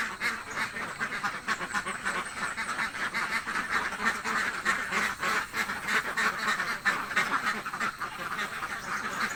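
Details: Hungry ducks in a village quacking together in a dense, continuous chorus of harsh, overlapping nasal quacks with no pauses throughout.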